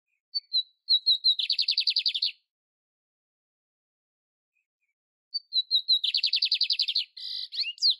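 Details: Lined seedeater singing in nature: two phrases, each opening with a few thin high whistled notes, then a fast buzzy trill of rapid repeated notes lasting about a second, the second phrase ending in chattering notes; silence between phrases.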